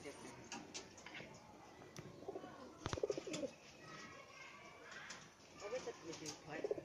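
Pigeons give low, throaty coos in short bursts during a scuffle, with wing flaps and a brief human voice.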